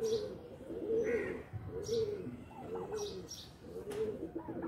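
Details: Pigeons in a loft give low, rolling coos that repeat about once a second through the stretch, with faint higher chirps and soft fluttering between them.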